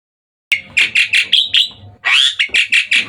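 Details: Hybrid Asian pied starling singing actively at night: after half a second of silence, a fast series of harsh, buzzy chirps, roughly five per second, with a short pause before a louder scratchy burst and more chirps.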